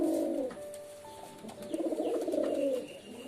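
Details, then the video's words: Two throaty pigeon coos, a low rolling burble at the start and a longer, wavering one after a short lull. "Pigeon Sound Effect 🦅 Pigeon Sound 🦅 কবুতরের ডাক"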